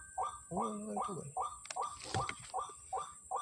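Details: White-breasted waterhen calling on a Sunday morning at Kepasar, where many gather: evenly spaced short croaking notes, interrupted early by a longer layered nasal note and a noisy scuffle midway, over a thin high whine.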